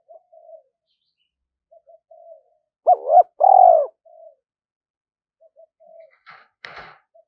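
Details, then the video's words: A decoy spotted dove with a 'thổ' voice calls to goad wild doves into approaching for a fight. Soft, scattered low coos surround two loud, hoarse coos in the middle. A brief rattling clatter comes near the end. "Chim Cu Mồi gáy Gọi/ thúc đấu gọi bổi nhanh về cội đấu"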